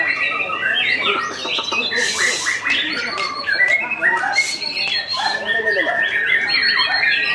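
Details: After its moult, a White-rumped shama under training sings loudly, stringing together fast warbled whistles, stepped notes and brief rasping bursts into an unbroken, rich medley.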